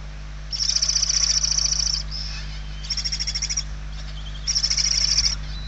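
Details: Barn owl chicks hungry in their Spanish nest, November 2023, giving three strong rasping bursts of rapid pulses, the first lasting about one and a half seconds, with quieter faint squeaks between them.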